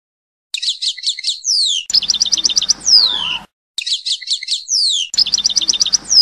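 European goldfinch giving high, tinkling phrases: quick runs of repeated bright notes ending in a falling slurred whistle, repeated several times with a faint low hum behind.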